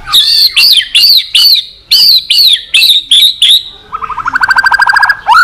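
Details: Long song of a white-rumped shama meant to provoke fighting: nine loud, arched whistles in steady succession, then a fast, buzzy trill of rapidly repeated notes and a closing upslurred whistle.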